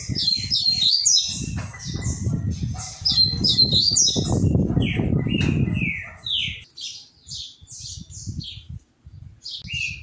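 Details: Caged Double-collared Seedeater singing while hopping between perches: bursts of high, slurred chirps and downward-sweeping whistled notes, repeated rapidly, over soft low thumps from its movements.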